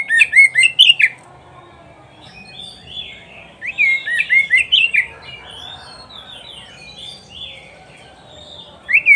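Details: Oriental magpie-robin (kacer), recorded in Indonesia as a teaching song for pet kacer, repeats short bursts of fast whistled and scratchy notes, three phrases in about nine seconds with softer twitters between.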